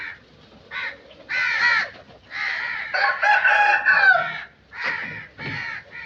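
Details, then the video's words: Crow calling with harsh, raspy caws, some short and others drawn out and grating, delivered in uneven bursts with brief quiet gaps between them. "Crow Sound Effects"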